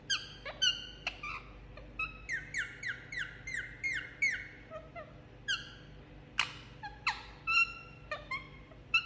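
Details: Indian ringneck parakeet, a pet parrot being given a head massage, uttering a long series of short squawks and chirps, some descending slurred notes in rapid rows, others sharp and clicky, steady through a quiet room.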